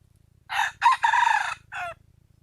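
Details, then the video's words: Junglefowl crow, offered as a strong lure call: a single four-part crow with a short first burst, a quick upslurred note, a drawn-out hoarse middle and a clipped, downward-falling ending, over a faint low rumble. "suab qaib qus"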